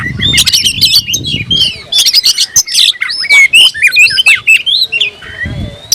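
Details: Oriental magpie-robin singing to challenge a rival: dense bursts of sharp chattering notes give way to clear whistled slurs and a long thin rising whistle near the end.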